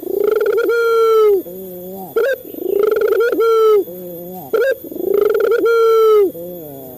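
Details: Three repeated phrases from a male local Barbary dove, used as a training lure for captive birds: a throbbing coo that swells into a sustained tone, then a lower trembling note and a quick upward flick.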